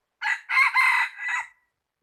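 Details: Rooster recorded on 16 January 2020, crowing once: a short opening note, then two long harsh, strained syllables and a fading final note, about 1.3 seconds in total, with no other sounds.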